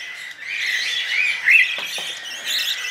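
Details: Budgerigar chicks during hand-feeding give soft, scratchy begging notes with a thin rising chirp in the middle, over a steady hiss and a couple of faint knocks.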